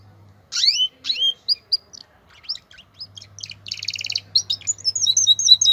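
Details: A male canary in breeding condition, excited to mate, sings a quick, varied run of high sweeping whistles and chirps, broken by a fast buzzy rattle, with a female canary's call also present, over a faint steady low hum.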